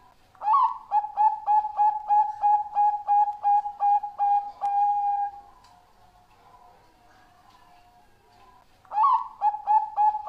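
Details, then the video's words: Zebra dove of the Bangkok type, kept as a lure bird for other doves, cooing: a rising opening note, a dozen quick soft coos on one pitch, a long held note, a pause, then the phrase begins again. "Perkutut Bangkok Suara Syahdu, Cocok Buat Pancingan"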